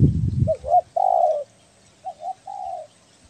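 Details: Spotted dove, belah dada type, Kepri, Indonesia, recorded calling eagerly as a bird-catching lure; low rumbling knock at first, then two coo phrases, each a quick double note followed by a long, steady, slightly falling hoot.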